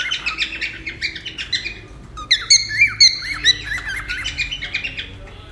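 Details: Cockatiel chatter for taming: fast overlapping chirps and buzzy whistles around two per second, then brighter clear whistled notes, likely several birds together, with faint indoor hum.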